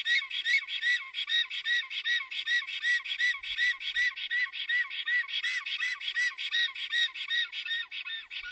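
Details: Black stork greeting or alarm calls at a nest in Puszcza Notecka forest, Poland, 17 April 2020. A long, even run of looping whistled notes, each rising then falling, repeats quickly about two to three per second.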